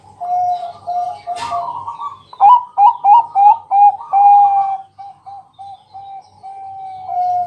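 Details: Zebra dove, Bangkok type, singing at night to lure other doves into song: bright, bouncing notes repeated about three per second, a warbled roll, then a string of soft, spaced coos.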